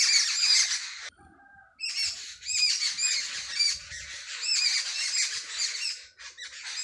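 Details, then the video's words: Village sparrows chirping at early morning: busy overlapping twitters, a sudden brief silence near the start, then the crowded chirping returns. "صبح سویرے گاؤں میں چڑیوں کی چہکار"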